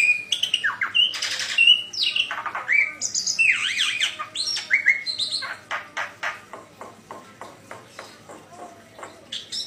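Black-winged Myna singing a loud, varied run of clear whistles, slurred rising notes and harsh chatter, ending in rapid dry clicks about once a second.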